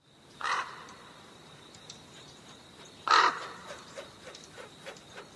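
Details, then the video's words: Black crow giving two harsh, hoarse caws about two and a half seconds apart, over a steady background hiss with a thin high tonal whine and faint scattered clicks. "The sound of the Black Crow"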